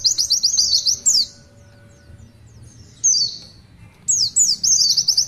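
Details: Oriental white-eye in lively 'tulitwitwit' song: bursts of rapid high twittering notes separated by pauses of a second or more, with single downward-slurred whistles between.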